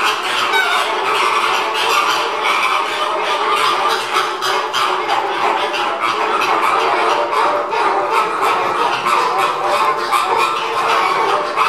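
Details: A dense flock of Caribbean flamingos, filmed during feeding, gives nasal, goose-like honks that overlap without pause into a steady, chattering din.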